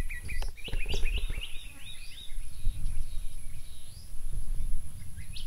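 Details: At Fogg Dam, Darwin, in Australia's Northern Territory, a comb-crested jacana (Jesus bird) with newly hatched chicks. Thin, high, upslurred chirps come in a quick cluster early on, then a few scattered notes follow. Low rumbling noise runs throughout.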